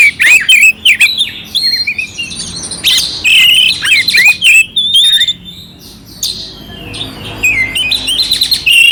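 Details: Oriental magpie-robin song with rough, harsh passages, meant to stir up another magpie-robin: rapid varied phrases of sharp whistles, upslurs and scratchy chips about three times a second, with a brief quieter stretch midway.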